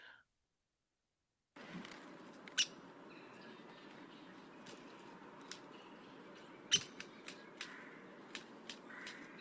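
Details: Downy Woodpecker giving its soft pick call, short, sharp, high notes, two clear ones several seconds apart and a few fainter, over a steady background hiss.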